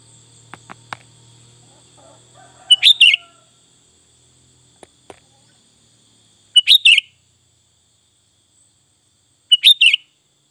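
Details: Sooty-headed bulbul giving short burry chirp phrases about every three to four seconds, three phrases in all, with faint clicks and a low hum early on.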